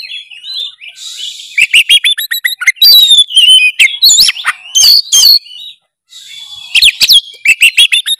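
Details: Kacer (oriental magpie-robin) belting out full narung gacor song to get a quiet bird going. Nearly continuous buzzy trills and bright whistled phrases follow one another, with one short pause before the song resumes.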